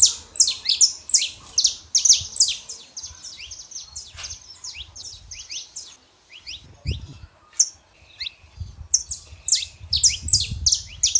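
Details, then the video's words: Saffron finch, male and female, singing to warm up a quiet canary; dense bursts of high, sharp, chirpy notes sweeping downward, repeated rapidly in phrases with a brief lull midway, faint low rumble beneath. "canário da terra fêmea e macho pra esquentar seu canário frio"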